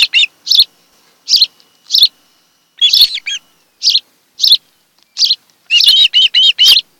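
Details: Osprey pair at their nest on Kent Island, Maryland, on 26 July 2018 in the afternoon: short harsh bursts about once per second, ending in a quick run of high, arched, whistled chirps.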